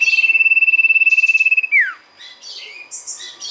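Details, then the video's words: [['Sirtu (golden-bellied gerygone) song used as a lure: a loud, rapid pulsed trill held on one steady high pitch for about 1.6 seconds, ending in a sharp downward slur, followed by softer high chirps.']] "pancingan sirtu gacor"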